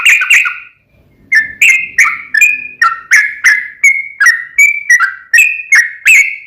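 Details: Lively sooty-headed bulbul song played as a lure to set off a reply from another bulbul: two loud opening notes, a short pause, then a steady chain of about a dozen clear, slurred whistles, each starting with a click.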